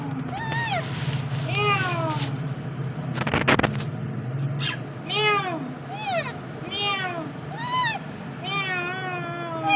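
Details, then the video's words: Green parrot talking: arched, harmonic syllables repeated at uneven intervals. A brief broadband clatter breaks in near the middle, and a low hum continues throughout. "Green Parrot Talking So Cute"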